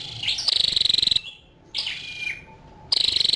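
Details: Female scarlet-backed flowerpecker: a high, fast ticking trill, then a brief upslurred note and a thin falling whistle, then another ticking trill begins.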